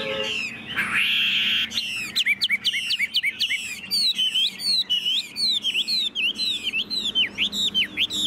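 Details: Chinese hwamei, a tame bird kept in a cage, opens with a short noisy burst and then delivers a steady string of sharp, rising whistled notes repeated rapidly, about three per second.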